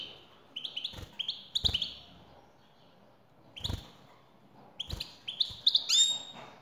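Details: European goldfinch female calls meant to make a male sing: rapid strings of bright, upward-flicking chirps, a long pause midway, then a denser twittering run ending in a sharp whistle.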